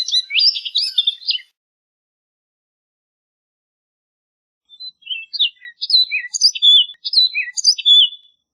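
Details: Orchard oriole (Icterus spurius) singing: a rapid burst of varied whistled and slurred notes, a pause, then a longer jumbled phrase of rising and falling whistles and chatters; no other sounds.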